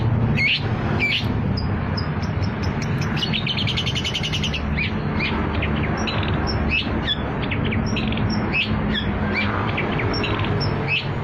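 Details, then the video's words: Lure song of a long-tailed shrike (cendet) for trapping: spaced sharp chips and high thin whistles, with a short rapid buzzy trill in the middle, above persistent low background rumble. "PANCINGAN CENDET, CENDET GACOR"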